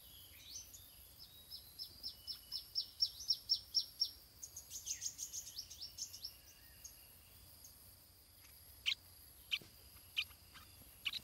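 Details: Stripe-throated bulbul chick in its nest as parents bring food. A quickening run of thin, high chirps builds into a dense burst before breaking into scattered sharp single notes over a soft steady hiss.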